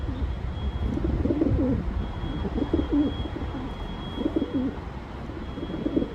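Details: Deep, bubbling pigeon coos repeated four times across a few seconds, each phrase warbling and dropping at the end, with a constant low hum behind.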